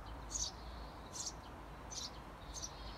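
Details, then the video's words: Eurasian tree sparrow parent outside a nest box, 17 days after the chicks hatched, calling to urge the nestlings to fledge: four short high chirps, spaced about every 0.7 seconds, over a faint background. "【スズメ】【雀】生後１７日目！巣立ちを促す親スズメさん Eurasian tree sparrow"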